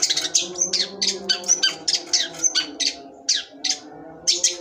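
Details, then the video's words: Long-tailed shrike, 'cendet sembur', singing a rapid run of short, sharp chirps and scratchy notes in quick bursts, with a steady low hum beneath. "cendet sembur"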